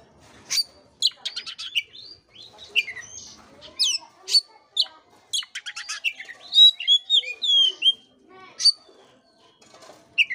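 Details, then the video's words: Oriental magpie-robin song played to stimulate a listless bird into singing: a rich, varied stream of sharp high whistles, rapid chattering bursts and sweeping slurred notes, delivered in quick phrases with brief pauses. "pancingan kacer jitu dan ampuh buat kacer loyo kurang ber gairah"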